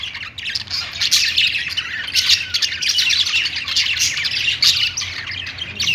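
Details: Budgerigars singing while perched: dense, nonstop chattering warble mixing squeaky whistles, raspy buzzes and sharp clicking ticks, steady in loudness throughout, over a low background hum.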